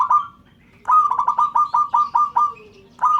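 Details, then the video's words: Local zebra dove calling so that other birds join in and sound off; a run of about eight rapid, rounded cooing notes near one pitch, each swelling then fading, after an opening coo and followed by another coo at the end. "Perkutut LOKAL Memanggil "Bikin yang Lain Ikut BUNYI""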